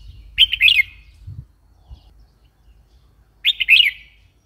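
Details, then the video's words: Red-whiskered bulbul giving two short bright chirpy phrases about three seconds apart, each a quick run of warbled, slurred notes; very quiet background with faint low rumble. "Red whiskered bulbul call 04"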